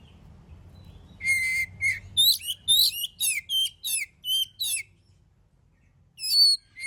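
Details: Oriental magpie-robin singing actively, used as a lure to provoke other birds into song: a pair of clear high whistles, then a fast run of repeated harsh, buzzy, chattering phrases, a pause, and one more phrase.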